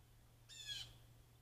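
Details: Blue jay calling near a deck, recorded by a trail camera: a single short harsh, raspy squawk, faint over a steady low hum.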